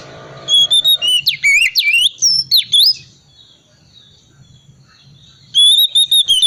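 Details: Calm-type Oriental magpie-robin singing in ngriwik style to prompt silent birds to sing: a whistled note, loud swooping rising and falling whistles, a quiet pause, then a fast chirping run of high notes.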